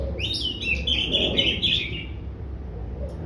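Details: Daurian redstart delivering one rapid chattering phrase of bright, high twittering notes lasting under two seconds, followed by near quiet with a low background hum.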